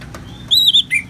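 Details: Orange-headed thrush, ngeplong therapy song with rain: a faint thin whistle swells into a bright sustained note, then a lower slurred note and a sharp final chirp.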